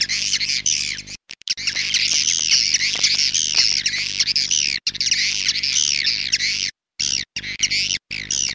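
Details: Calling sound of swiftlets, original "clop tanjung" version for swiftlet farmers: a dense, unbroken chorus of high, looping chirps and trills, broken by a few short silences toward the end, with a faint low hum throughout.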